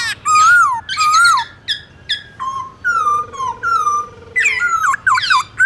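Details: Forest-style morning song of the black-throated laughingthrush, used to train young birds: rich falling whistles, short downslurred notes repeated in sequence, and a closing tangle of rapid harsh phrases.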